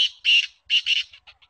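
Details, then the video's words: Trained female black francolin (kala teetar) calling: four harsh, rasping bursts in two pairs, each about a fifth of a second, followed by a few fainter short notes. No other sounds are heard. "kala teetar trained | kala teetar ki awaz | teetar voice female | teetar ki awaz"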